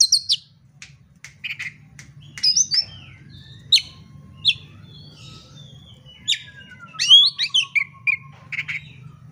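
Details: Oriental magpie-robin singing a fighting song used as a lure to provoke rivals to fight: loud varied phrases of sharp high chirps, rich whistled notes and a long descending whistle, with scattered clicks and faint low hum.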